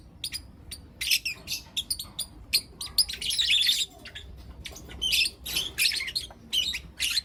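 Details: Morning chirping from four lutino lovebird youngsters kept indoors: scattered short clicks and squeaks building into loud, rasping chatter bursts of about half a second, with quiet spells between.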